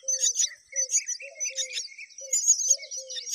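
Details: While a parent myna repeatedly feeds them, the chicks give dense, harsh, high chattering begging calls, with short low level notes repeated about every half second underneath.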